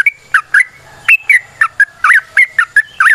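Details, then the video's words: Lure recording of a yellow-vented bulbul in long, rapid natural song meant to make other bulbuls sing: a brisk string of clear, looping, whistled notes, some rising, others dipping, delivered close with little background. "Trucukan GACOR ngalas ROPEL PANJANG suara alam"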